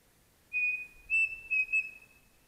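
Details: Pavonine cuckoo recorded on a foggy morning in Mato da Capela forest, Bozano, Rio Grande do Sul, Brazil: pure, steady whistled notes at one high pitch, a first note then three more in quick succession, with a faint tone lingering between them.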